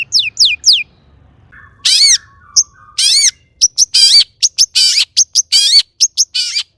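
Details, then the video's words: Long-tailed shrike, its varied song used as a lure so other shrikes respond: three falling whistles, then harsh, nasal, wavering squawks alternating with short sharp clicks and chirps. "burung cendet gacor EMOSI MEWAH buat PANCINGAN CENDET AGAR BUNYI bikin BURUNG PENTET GACOR NYAUT"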